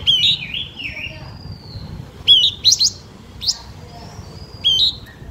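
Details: Blue-winged minla in luring song: a warbling whistled phrase opens, followed by scattered sharp rising notes and thin drawn-out whistles between them, spaced over several seconds.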